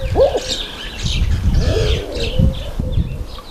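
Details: A flock of speckled pigeons: a loud swooping note opens, followed by soft, low, drawn-out coos under scattered higher chirps and a steady low rumble.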